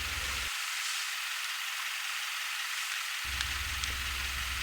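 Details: Steady broadband hiss like wind or traffic rush, with a filtered low-frequency gap and a couple of faint clicks; no animal sound.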